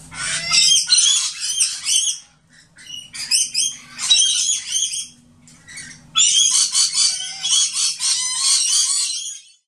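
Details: Rainbow lorikeets, fifty or more, excitedly returning to a feeder on grevillea perches, give harsh, rapid, high, grating screeching chatter in bursts, many overlapping almost continuously over a faint low hum.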